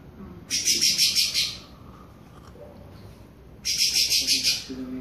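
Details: Creamy-bellied Thrush (Turdus amaurochalinus) warming up its classic song: two harsh, high, rapidly pulsed bursts about a second long, three seconds apart, over a quiet background hiss.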